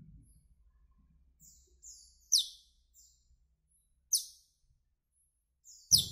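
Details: Asian glossy starling uttering sharp, piercing high chirps roughly every two seconds, each falling quickly in pitch, with fainter short notes in between.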